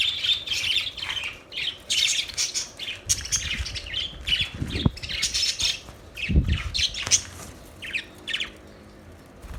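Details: Budgies chatter in busy runs of squawky, buzzy chirps and warbles, with brief pauses and occasional low thuds of movement.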